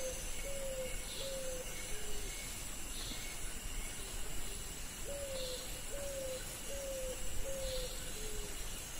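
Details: Pigeon cooing: soft, low tonal notes, each sliding slightly downward, given in loose runs of three or four over steady background hiss and faint higher chirps.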